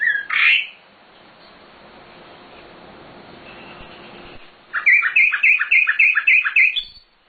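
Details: Nightingale (sikatan londo) song used as a master recording for training birds: one short high note, a quiet pause, then a quick run of about seven bright, repeated chirping notes.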